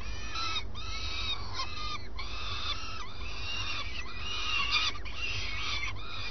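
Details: Pair of adult common swifts at the nest in early morning during a nest relief; a series of nasal calls with rich overtones, some bending downward, spaced roughly a second apart, over a low constant drone.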